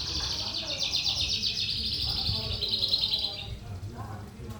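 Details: Lark (sonca) singing in the rapid 'trotolan' style, described as a lively prospect bird: a dense, fast stream of high chirping notes, about four per second, that runs for three and a half seconds, then fades with soft low background murmur.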